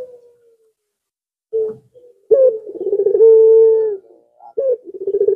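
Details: Zebra dove singing to bait rival birds: a fading tail, a short note, then a phrase of rapid stuttering pulses into a long even coo, and another phrase beginning.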